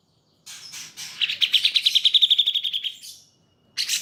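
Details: Grey-cheeked Bulbul (cucak jenggot) song for pet-bird training, possibly alternating with a Cream-vented Bulbul: a soft buzzy start, then a fast, clear trill that tapers off, a brief silence and a harsh note at the end.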